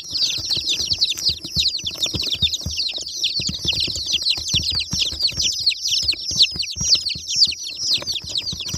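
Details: Many rainbow baby chicks calling at once, a steady wash of sharp, high, descending cheeps about two per second from each voice, blending into one busy chorus over quiet rustling.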